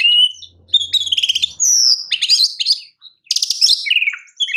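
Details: Oriental magpie-robin champion song for training other birds: rich run of clear whistles, trills and harsh buzzy notes in quick alternation, with one short gap mid-phrase.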